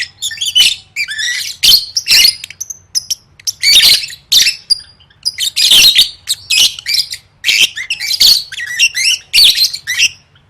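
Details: Competition-training lovebird song: long run of loud, scratchy chatter and squeals, with dense noisy bursts alternating with short high squeaky whistles, nearly continuous.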